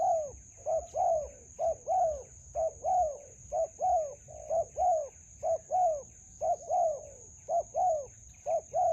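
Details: Spotted dove calling steadily while being trapped with a decoy in a melaleuca garden, a wild bird of good quality encountered: evenly repeated soft arched coos, short note then longer note, roughly twice per second, over a persistent high hum.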